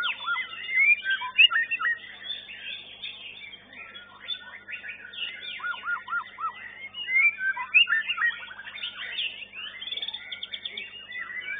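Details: Young white-rumped shamas in a song contest class at an Indonesian bird-singing arena: rich, fast, varied whistled phrases with rising and falling notes, sweeping slurs and short rapid trills, tumbling over one another without pause.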